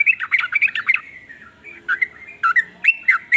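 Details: Sooty-headed bulbul singing varied phrases said to make other bulbuls start calling: bubbly warbled notes at first, then spaced, slurred whistles with short gaps between them.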